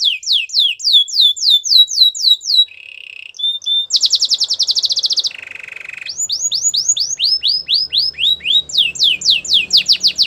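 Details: Canary in full song, alternating series of fast descending whistled slurs with a low warbling roll, a bright rapid trill, and a deeper rattling tour before more sweeping repeated notes.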